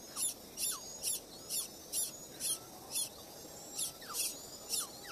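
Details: Late-hatched little pied flycatcher chick, often missing out on food, begging with high, hissing rasps, about two a second in a steady string, over a soft background hum.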